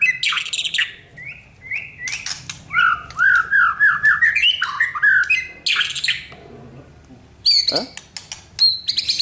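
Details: Song of a white-rumped shama under training for a champion mentality: harsh scratchy bursts alternate with a long series of looping, rising whistled notes, then a pause and sharp broadband calls with a steep downslurred note.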